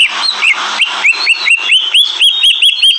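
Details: Greater green leafbird, agitated and calling loudly and persistently: a rapid series of bright, upswept chirps repeated several times a second over a buzzy, noisy background.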